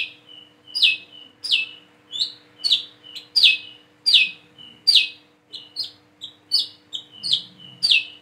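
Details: Shrill descending notes from a plain-throated sunbird that is learning to sing, roughly eighty a minute. Each note follows a thin high whistle, and a few notes are shorter and clipped.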